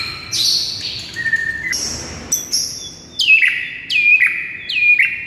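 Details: White-rumped shama morning masteran song with high sustained whistles, then a series of sharp notes dropping steeply and repeated roughly once a second.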